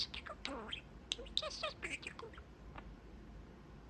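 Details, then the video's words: Talking pet budgerigar at its cage window chatting with its owners; a quick burst of squeaky, warbling chatter and harsh notes in the first two seconds, then fading to a few faint chirps. "Talking Parakeet"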